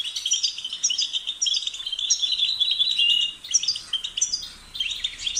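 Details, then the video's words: Busy, jangling European goldfinch song: rapid high chirps strung into rolling trills, with one clear whistled note in the middle before a short pause. "The sound of the goldfinch's chirping"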